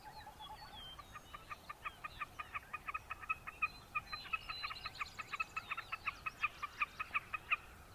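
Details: Wilson's snipe calling: a long, steady series of sharp, clucking notes, about three each second, with a faint thin whistle from another bird at the start.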